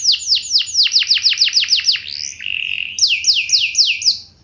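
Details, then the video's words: Canary singing as a lure for other canaries to answer: a run of about ten rapid descending whistles, a short flat buzzy note, then several more swooping whistles. "Burung Kenari Lain Bakal Langsung Nyaut! Pancingan Burung Kenari Lagu Mewah Cengkok Joss"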